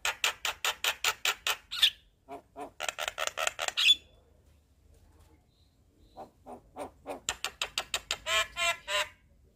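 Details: Javan myna song played as a tutor and lure recording to get caged birds singing; harsh, grating squawk notes in rapid rhythmic runs, a short pause with softer scratchy notes, then another fast burst of loud rasping calls.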